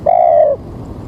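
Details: Spotted dove used as a trapping lure on an early, rain-threatened morning, giving a single smooth, level, low coo lasting about half a second against a quiet background.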